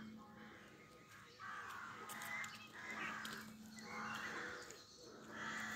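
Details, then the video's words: Rooks in trees at 5am on 25 May 2024 in an urban area of Pulford, Chester, Cheshire, England, during the dawn chorus: harsh, rasping caws roughly once a second, several birds overlapping above a steady low hum. "Rook bird song"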